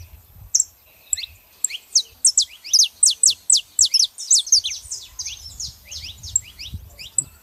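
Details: Saffron finches, female and male, calling: sharp, high descending chips building into a rapid, loud run of clear downward-sliding notes in the middle, then thinning out, with soft low rumbling at times.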